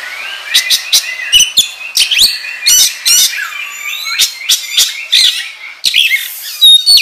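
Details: Oriental magpie-robin lure song, the kacer gacor ngobra style for training birds. Dense run of harsh buzzy notes and clicks, then a long gliding whistle dipping and rising, followed by more chattering phrases.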